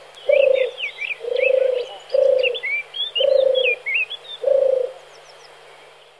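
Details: A male turtle dove purrs five times in steady, low, vibrating rolls, evenly spaced about a second apart, while a small songbird warbles quick high notes in the background.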